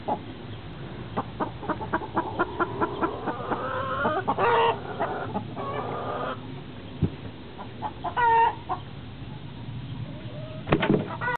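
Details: Hens compete for shared nest boxes while laying: a busy mix of overlapping clucks and murmurs, broken by several loud, harsh cackling bursts and a few sharp knocks.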